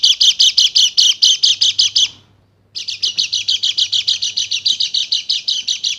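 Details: Bali white-eye, used as a lure to stir silent caged birds into lively, agitated singing: rapid machine-gun series of bright, high chirps, about eight per second, broken by a brief half-second pause before resuming.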